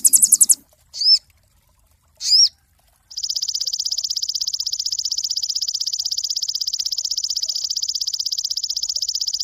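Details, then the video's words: Cinereous tit used as a master song for songbird training: two crisp, upward-flicking chirps about a second apart, followed by a sustained, rapid, metallic rattle that continues steadily for over six seconds. "MASTER SOGON SUPER ISTIMEWA"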